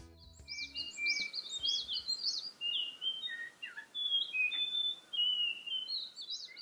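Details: A Blue Whistling Thrush in the Himalayas sings a fluid run of high, sliding whistles, some rising and falling, others clear and flat, repeated with barely a pause; a faint low hum opens the passage.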